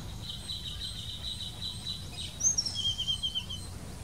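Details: Blue-throated flycatcher song from India: after a faint steady high tone, a short sequence of thin, high whistled notes slides downward in a trilling run near the end, with soft low rumble throughout.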